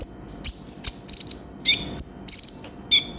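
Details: Lively konin (sunbird) song with full isian, meant to train other birds: thin, very high chirps and quick double and triple notes in uneven bursts roughly every half second over a quiet background.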